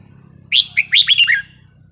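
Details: Red-whiskered bulbul giving a wild-style song phrase of the counting line: a bright opening whistle, then a run of five quick slurred notes falling gradually in pitch, over a faint low hum.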